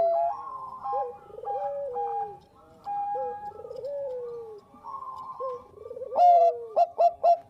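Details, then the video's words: Zebra dove of the Bangkok type singing as a lure: layered mellow coos with long sustained tones and falling slurred phrases, ending in several loud clipped rolling notes in quick succession. "SUARA PERKUTUT BANGKOK GACOR AMPUH UNTUK PANCINGAN"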